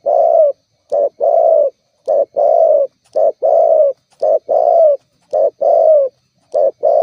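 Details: Spotted dove calling rapidly and insistently, a sound used to provoke rivals and attract other doves. About seven short-then-long coo pairs, each a brief clipped note followed by a fuller, drawn-out coo, at a brisk, fairly even pace.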